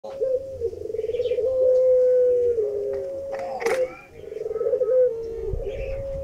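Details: Puter pelung dove, a native Indonesian cooing bird, courting its female: long drawn-out coos held on one steady low pitch with a buzzy pulsing texture, a brief gap mid-clip, then the coo resumes; faint clicks and a sharp knock.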